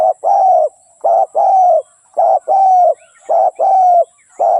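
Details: Rhythmic dove cooing, a short note then a longer, level coo, repeated steadily about every second, clear and close against a faint high-pitched hum.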